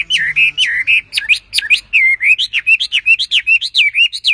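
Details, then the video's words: Vigorous singing from a tame wambi: rapid, loud whistled phrases of rising and falling slurs, delivered almost without pause, nearly four notes a second. The background is clean. "BURUNG WAMBI GACOR JINAK TOTAL"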